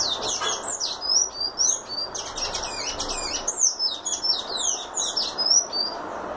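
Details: Sayaca tanager singing in the style called "canto violino": a rapid, unbroken stream of squeaky, high-pitched chirps and slurred upward and downward whistles, densely packed over several seconds, above a steady faint background hiss.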